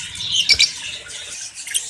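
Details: Caged budgerigars in a Pakistani breeding room in summer twitter and squeak in a continuous high chatter, broken by a couple of sharp clicks midway.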